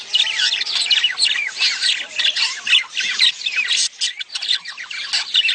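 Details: Budgerigars in a mating chorus used to get a female laying eggs sooner. Dense, grating squawks and twittering warbles run on continuously, high in pitch, with several birds calling together.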